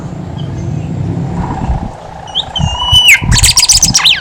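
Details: Horsfield's babbler song, played as a lure to get other birds singing: a long whistled note sliding down, then a burst of loud, rapid, buzzy chattering phrases. A steady low rumble runs beneath.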